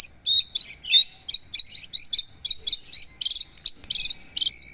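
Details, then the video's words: Song of a caged Javan bush lark: a fast series of sharp, high chirps and short buzzy trills, each phrase clipped and distinct, ending in a sustained high whistled note. "Kicau branjangan mr koko ( paksi aji ) sangat ajib"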